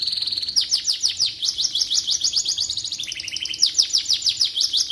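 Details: Canary singing as tutor material for white-rumped shamas, with continuous fast repeated sweeping notes about three per second, shifting to a lower rattle midway before returning to high rolls.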